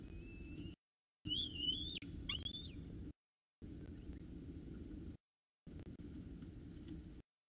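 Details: Peregrine falcons at a nest at Orange CSU on an October 2019 morning around 7 am. The male arrives with breakfast and the female feeds the chicks. A few harsh, wavering, whining calls rise and fall over about two seconds, between quiet gaps and low rumbling noise.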